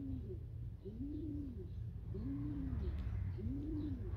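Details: Kept pigeons in a loft, giving low, soft arched coos that rise and fall, about four in four seconds, with a steady low rumble behind.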